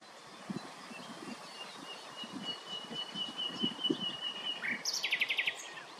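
Spotted flycatcher giving a thin, high drawn-out note, then a quick burst of sharp clicking notes near the end, over low rumbling background noise.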